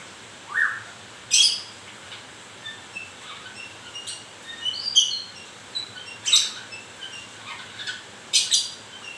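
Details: White-rumped shama during moult, singing scattered phrases: a rising whistle, sharp high clicks and short warbled notes separated by pauses, over a quiet background hum.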